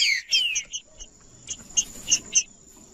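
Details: Green-winged saltator singing in the 'macheando' style, meant to excite other saltators: quick downslurred whistles at the start, then a series of short, bright chirped notes, with a steady high-pitched whine throughout.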